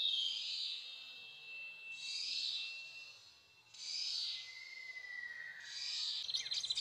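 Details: Prinia lure call played quietly as an MP3 from a phone set near the ground to draw birds into a trap: high buzzy bursts repeated about every two seconds, with a thin whistled note sliding downward between them.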